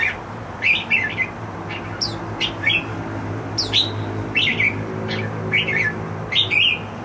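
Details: Happily singing pet red-whiskered bulbul indoors: repeated short, sweet, whistled phrases with downward slurs, about one or two per second, over a faint low hum.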